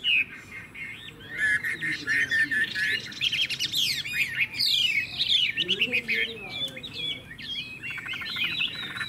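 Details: Chinese hwamei in a cage, praised for a loud, fine voice, sings an intricate torrent of whistles, rapid trills and sweeping slurs that shift in pitch, with quieter low murmuring underneath.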